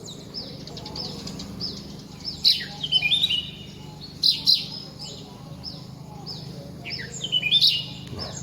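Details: A red-whiskered bulbul sings outdoors in a place rich with varied birds. It gives bright, clear, high whistled chirps in short clusters, with a low steady hum and soft background sound beneath.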